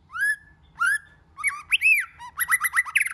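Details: White-rumped shama singing many voices to excite other shamas: two rising whistles, then a fast tumbling sequence of swooping and chattering whistled notes.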